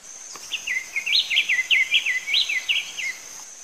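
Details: Diademed tanager singing a rapid series of sharp, upslurred and downslurred whistles, about a dozen notes in quick succession, over a constant high-pitched insect drone and soft outdoor hiss.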